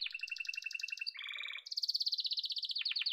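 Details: Yellow domestic canary delivering rapid rolling trills, first a layered chattering roll, then a lower buzzy tour, followed by a high, fast pulsed trill ending in descending stutters.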